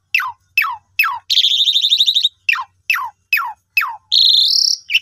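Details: Repeated sharp descending notes spaced about half a second apart, broken by long buzzy rattling phrases, from Asian pied starling song used to coax silent birds into singing.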